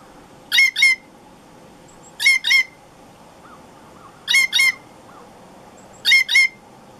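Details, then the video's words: Female blue jay sounding alarm calls, including her imitation of a sharp-shinned hawk, used to alert other jays: four evenly spaced pairs of harsh, ringing double notes, roughly every two seconds, with soft faint chirps between. "Blue Jay Alarm Calls and Imitating a Sharp-shinned Hawk"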